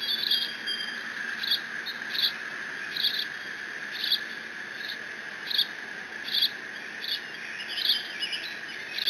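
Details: Bald eagle eaglet alone at the Decorah N2B nest, 30 June 2017, squeeing while mantling a fish its father delivered. Short, high, sharp squeals repeat about every second over a steady electrical hum from the nest camera.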